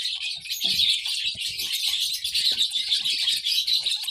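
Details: Baby lovebird chirping: a continuous, dense stream of high, shrill, buzzy chirps, rapid and unbroken throughout, with faint soft low rustling beneath.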